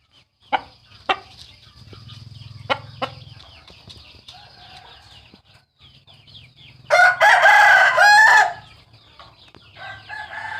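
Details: Rooster giving a trumpet-voiced crow: a loud, harmonic, drawn-out call lasting about a second and a half, after scattered clicks and knocks. Many quick high downward chirps from small birds continue throughout.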